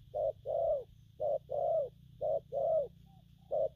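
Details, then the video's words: Spotted dove cooing in the styles known locally as gù phóng, kèm and gù lăn: low hollow notes alternating short and long, each pair about once a second, over a steady low hum and a faint high whine. "Bổi nước gù phóng, kèm, gù lăn săn"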